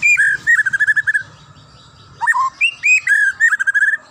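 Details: Wild white-rumped shama (murai batu) singing: a loud whistled opening note, then a fast string of short clear chirps, a pause, a swooping upslurred phrase and another rapid chirping run, with a faint low hum behind.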